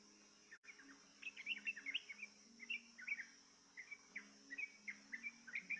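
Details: Trucukan, the yellow-vented bulbul, prompted by a luring recording to sing instead of fearing it; scattered short bubbly chirps in loose groups, fairly quiet, against a steady high hum and faint low tones.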